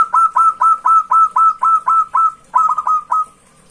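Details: Local zebra dove (perkutut) in clear song, used to lure rival birds: a steady run of short, mellow cooing notes, about four a second, each a brief rising coo. A slight stumble comes near the end before the phrase fades.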